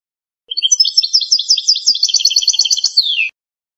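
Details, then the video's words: Algerian goldfinch singing in the pépinière style: a continuous three-second run of quick tinkling twitters and trills, ending in a descending slurred note. "شريط تغريد القادوس بيبينيار"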